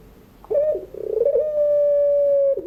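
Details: Puter pelung dove singing at dusk in the crying style used as a model for learning birds: a short coo, a quick pulsing trill, then a very long, even, sustained note ending in a brief falling tail.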